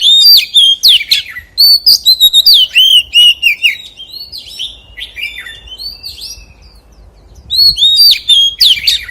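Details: Loud, fast forest-voice singing from an Oriental magpie-robin: rich looping whistles, sharp clicks and wavering trills, then a softer stretch before another loud burst begins.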